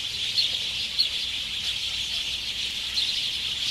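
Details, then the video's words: Roosting house sparrows at dusk, Ngahinapouri, Waikato, New Zealand, late summer, 8 February 2021, recorded on clip-on omni mics with a Zoom H5; steady massed chirping from a crowd of birds, with a few louder individual chips standing out. "Sparrows roosting at dusk"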